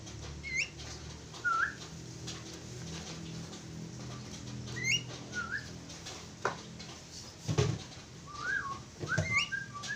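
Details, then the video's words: A pair of Javan mynas giving short whistled notes, some rising and some falling, scattered across the stretch with gaps between them and a steady low hum underneath. "sepasang burung jalak kebo"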